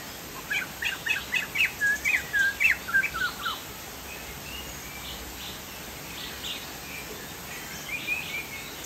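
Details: Chinese hwamei from Sumatra in full song: a quick burst of bright chirps and downslurred whistles for about three seconds, then fainter scattered whistled phrases over a background hiss.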